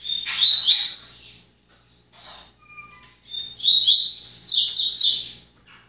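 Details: Papa-capim, or yellow-bellied seedeater, singing two fast, high twittering phrases of quick sliding chirps, separated by a short gap with a buzzy note and two faint level whistles.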